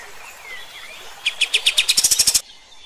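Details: Striated grassbird song, known locally as kapas tembak, offered for training other birds. Quiet thin whistles lead into a brief, accelerating burst of sharp, loud, piercing chips that ends abruptly.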